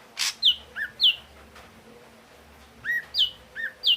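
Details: Ashy drongo of the red-eyed form repeating a phrase of a loud downward-sliding whistle answered by a lower short note, given twice after a noisy burst, in a quiet setting.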